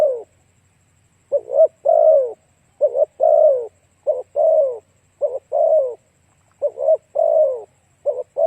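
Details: Spotted dove song used as a lure: after a short opening note, six phrases follow, each a quick two-part coo then a sustained falling croo, in a quiet setting.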